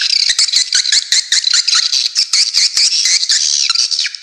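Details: Swiftlets calling in a dense, continuous chorus of high, buzzy chirps and twitters, overlapping rapidly with short clicking notes throughout, with no pauses.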